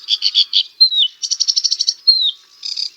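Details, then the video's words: Song of a sedge warbler, a small warbler of marshy, scrubby places with reeds and brambles: churring doubled notes, a falling whistle, a quick run of dry repeated notes, another falling whistle, then a brief buzzy phrase. "Sedge Warbler - Songs"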